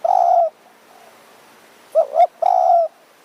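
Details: Spotted dove used to lure wild birds in Kanchanaburi's mountain forest, Thailand, on an evening. Ends a long low coo, pauses, then gives a quick double note and another sustained coo.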